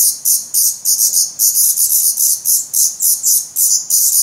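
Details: Black Redstart nestlings in a nest in Portugal, 17 May 2020, feathered and shedding down, hungry and growing fast. Steady train of loud, rasping hisses, each burst short and quickly repeated throughout.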